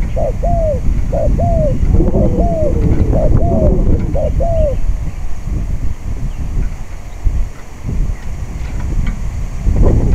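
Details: Spotted dove used in decoy trapping on a windy day; about five soft, arched cooing notes in a rapid series during the first five seconds, then only heavy, rumbling wind noise.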